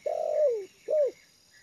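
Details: Trained spotted dove used as a lure bird, calm on the ground, uttering a long descending coo followed by a shorter arched coo, soft and mellow, with a faint high twitter in the background.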